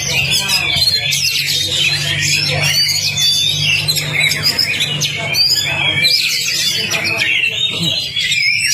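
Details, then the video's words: Oriental magpie-robin (kacer) lure for a stalled singer: loud, non-stop medley of whistles, rasping squawks and twitters lasting the whole stretch, a low electrical-sounding hum underneath. "PANCINGAN KACER CEPAT ON NGOBRA... masteran Kacer macet"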